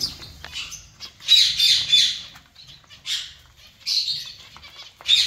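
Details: Zebra finch colony calling: clusters of high, nasal chirps and squawks in overlapping bursts roughly every second, with short quiet gaps between the busier flurries.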